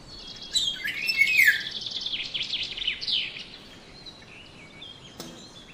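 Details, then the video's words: Black-naped oriole, a yellow bird, giving varied calls: rapid high chirps and downward-sweeping notes tumble together for about two seconds, then thinner chirps trail off over steady outdoor background hiss. "Diffrent sound of black naped oriole Bird"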